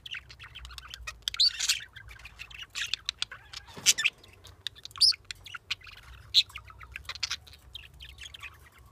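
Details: English budgies outdoors on a cold California winter day give short, high chirps and warbling chatter in quick, irregular bursts.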